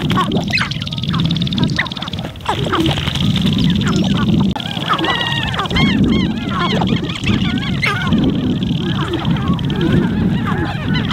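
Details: Sharp-tailed grouse calling on a Montana lek in spring, from a blind with wind: busy clucking, then a run of repeated bouncing, arched cooing notes from several birds.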